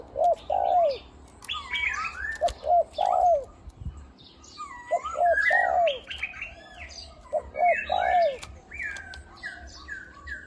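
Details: Decoy spotted dove in 'khu-ang' style; a few low coos with dropping ends come in short bursts between lots of loud chirping and whistling from other birds.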